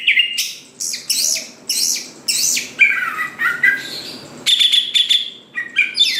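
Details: Greater green leafbird in vigorous song meant to provoke other leafbirds into singing quickly: bright whistled and chirping phrases, some sliding up and down, in bursts about every half second, with a sustained high whistled stretch near the middle.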